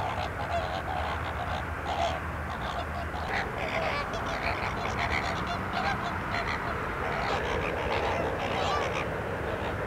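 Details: A flock of flamingos at Larnaca's salt lake, Cyprus, keeps up a dense, nasal honking babble, with a few louder clipped notes rising above the crowd.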